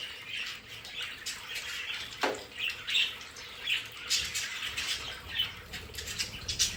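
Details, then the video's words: In their indoor play area, pet budgerigars keep up a busy chatter of short chirps and squeaky notes, rising and falling in pulses, with one brief low knock near the start. "Sonidos de periquitos Australianos"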